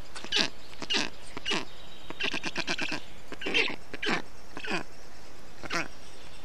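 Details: Nestling black storks in Estonia, 20 June 2021, calling as the adult male brings water, moss and wet grass to cool them in the heat; a series of hoarse, bleating calls, some in quick bursts, repeated every few seconds.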